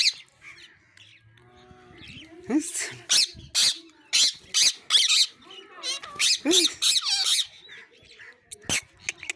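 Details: Pet parrot talking indoors: a fast series of loud, harsh, high squawks and chattering bursts, roughly a dozen in nine seconds, with a person calling the bird nearby.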